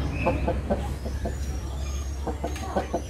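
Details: A rooster calling a hen to lay her first egg clucks in short, low, rhythmic bursts, roughly four to five per second, over a steady low hum.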